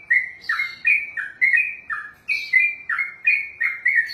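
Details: Trucukan, or yellow-vented bulbul, delivers its 'ropelan' style song, a fast unbroken string of clear whistled phrases that swoop down and up, roughly two to three notes each second, against a quiet background.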